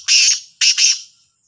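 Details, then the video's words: Black francolin morning call at Sahiwal, dated 18/09/22: two loud, coarse, grating notes, the second doubled with a slight break, then silence apart from a faint high hum. "کا لا تیتر کی صبح کی آواز | Kala Sindhi Teetar Ki awaz"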